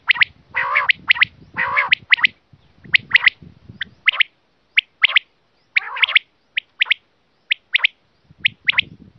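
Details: Hunting lure call of a quail: opens with several rough, buzzy rattles, then continues with crisp, high single and doubled chirps spaced about half a second to a second apart.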